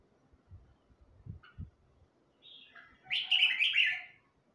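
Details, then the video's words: Young red-whiskered bulbul of the Huế type, newly learning to sing: after a few soft low thumps, a brief burst of bright, tangled warbled notes rises and tumbles near the end, then stops. "chào mào Huế mới tập hót quá hay"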